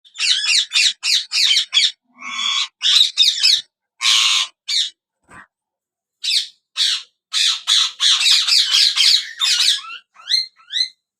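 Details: A yellow ringneck (Indian ringneck) parakeet, a talking parrot, chatters in quick, high, raspy bursts, several syllables a second in uneven runs that sound like mimicked speech, ending with a few squeaky rising notes.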